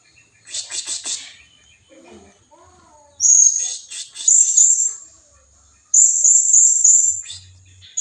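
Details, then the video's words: Rival-luring call of blue-crowned hanging parrot: a quick burst of high chips, then long loud shrill whistled trills at a very high pitch, sustained for over a second each, with a few softer lower notes between. "suara pikat burung serindit sangat ampuh memanggil lawan"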